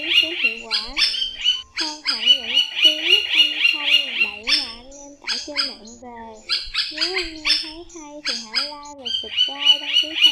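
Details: Rufous woodpecker calling the flock, a call used to lure birds for trapping: bursts of rapid, bright, nasal notes, about four a second, rise and fall in runs across ten seconds, with lower wavering tonal voices beneath.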